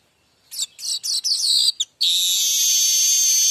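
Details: Streaked weaver singing in the mbeset style, used as a tutor song for young weavers: a run of quick, rising, scratchy notes followed by a long, loud, steady buzzing wheeze.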